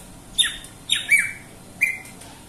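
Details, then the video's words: Greater green leafbird producing three raspy, downward-sweeping squawks, the middle one doubled, spaced roughly half a second to a second apart in a quiet setting. "suara burung cucak ijo"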